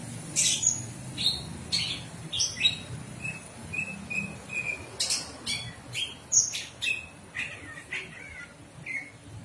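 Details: Bird chirping in brisk short notes, interspersed with sharp clicks or taps, over a quiet low background.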